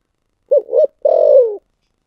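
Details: One spotted dove phrase of the thổ sấm song type: two short low coos, a brief gap, then a prolonged vibrating coo that drops at the close.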